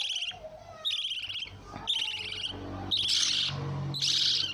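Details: Lovebird squawks come in buzzy bursts about once a second, over a low background hum. The last two shrieks are louder and broader.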